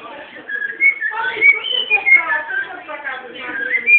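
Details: Whistled song from a captive-bred pet cockatiel: a stream of clear sliding notes and warbles, rising and falling, with a brief gap near the start.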